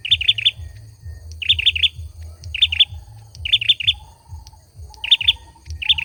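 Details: A male olive-backed sunbird sings in quick clusters of three or four bright, high chirps, repeated roughly every second, with a faint mid-pitched trill and a constant low pulsing thud underneath.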